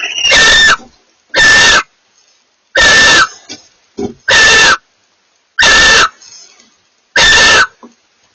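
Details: Barn owl pair in vocal exchange, six harsh hissing screeches at irregular intervals of about one to one and a half seconds, a brief soft note between two of them.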